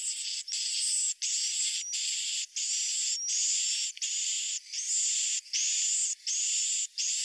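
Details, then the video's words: Swiftlet roosting calls: harsh, hissing bursts with thin twittering chirps, repeated steadily a little faster than once a second. "suara inap burung walet"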